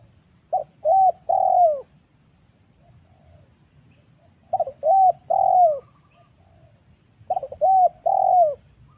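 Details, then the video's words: Spotted dove lure call used to trap wild birds: three phrases, each a short stuttered coo then a longer falling coo, spaced about three seconds apart over a faint low hum. "suara pikat burung tekukur Liar"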